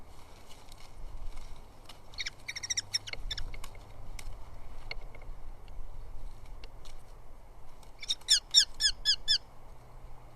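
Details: At a southern UK nest, two Eurasian hobby chicks fight over moths brought in by the male: scattered high chittering calls early, then a fast run of five or six loud, squeaky chips near the end, over a low rumbling background.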